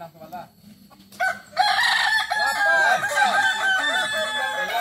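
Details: At a Kukuak Balenggek crowing practice, a quieter first second with faint crowing gives way to a loud chorus of overlapping, stepped multi-note crows from many cockerels.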